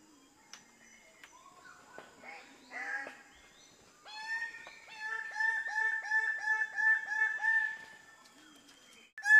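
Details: Greater bird-of-paradise: after faint scattered bird notes, a loud series of harsh, harmonic, nasal notes repeated about three times a second for around five seconds, with other birds faintly in the background.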